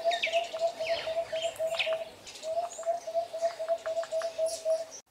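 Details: Acacia pied barbet (Tricholaema leucomelas) from Southern Africa giving a steady series of low, nasal hooting notes, about four per second, with higher chirps from other birds in the background.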